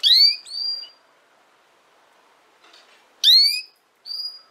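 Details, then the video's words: Female canary repeating a loud, sharply rising chirp with a short whistled tail, given twice with a long pause and a faint rustle between. "chant femelle canari - canto fêmea canário"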